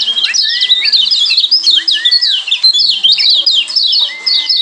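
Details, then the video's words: Kecial kuning, the Lombok yellow white-eye, singing a fast, busy stream of high zigzag chirps and twittering notes, with a few smoother whistled glides and one long flat whistle near the end. "Kombinasi Ciak Joss Kecial Kuning"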